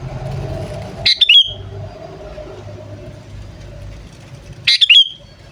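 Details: Kutilang, the sooty-headed bulbul, calling to draw wild birds in: two identical bursts of three rich, throaty whistled notes about three and a half seconds apart, with passing-vehicle noise beneath.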